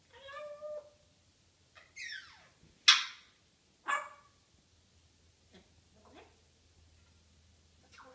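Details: African grey parrot chattering in the morning, a pet indoors: separate squawks, whistles and harsh noisy bursts with quiet gaps between them.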